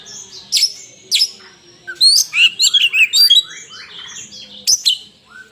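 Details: Loud, clean song of a fighting Oriental magpie-robin: two sharp high notes, then a rapid burst of bright rising and falling whistled phrases, ending in another piercing note.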